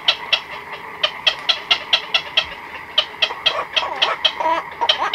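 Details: Chicks and adult black-crowned night herons in a nighttime colony, recorded close: crisp ticking notes repeated at a fast, uneven pace, with softer squawks and colony chatter underneath.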